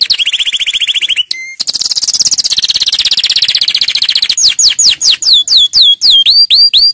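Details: Canary song meant for teaching fledglings: a bright trill, a brief pure whistle, a long buzzy rolling passage, then slower, separate, sweeping whistled notes that dip and rise, about two per second.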